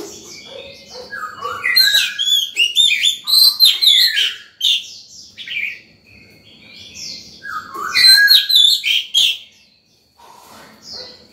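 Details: White-rumped shama in breeding condition singing full morning song, used to call other birds and train young birds; rich bursts of whistled, slurred and trilled notes in two long phrases, over a faint steady high whine.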